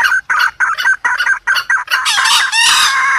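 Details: Short junglefowl lure sound: six or seven sharp clucks in quick succession, then a rough, sustained crow filling the last second.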